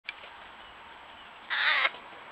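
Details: American Crows with their offspring at a pond in June, making a lot of noise to be fed, caught on a trail camera. A faint note opens, then one loud, harsh, raspy caw lasts a fraction of a second near the end over a steady hiss.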